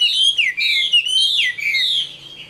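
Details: Old wild-caught Chinese hwamei of the Tam Hoàng type, noted for a fine voice, singing loud clear whistled phrases: rich fluty notes sliding up and down, with swooping downward slurs, one after another with barely a pause.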